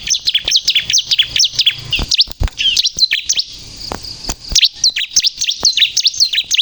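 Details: Bar-winged prinia singing vigorously, used as a lure for trapping and provoking other prinias: a busy stream of sharp, high, down-slurred chirps with quick rising flicks, delivered in uneven bursts with clicking noises between.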